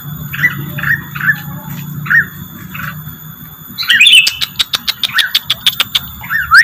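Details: Rengganis lure-call recording: a series of short chirps, then a fast run of sharp clicking ticks, a faint low hum underneath.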